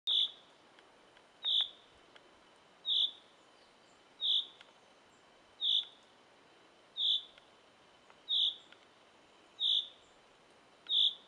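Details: In a forest, a bird repeats one short, high, clear whistled note roughly every second and a half, steady and evenly spaced, over a faint hiss.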